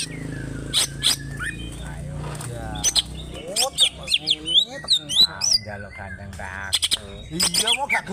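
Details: Greater green leafbird, a local wild-type bird from Alas Purwo, Banyuwangi, kept as a fighting songbird, raising its crest and opening its tail; dense rough-style song of rapid sweeping whistles, sharp chirps and buzzy harmonic notes, with a low hum behind.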